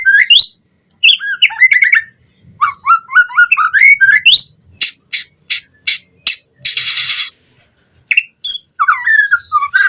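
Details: White-rumped shama lure song for tutoring captive birds: bright rising whistled phrases and chattery runs, then a series of sharp clicking bursts and a brief rasping hiss before more whistles, with gaps of silence between phrases.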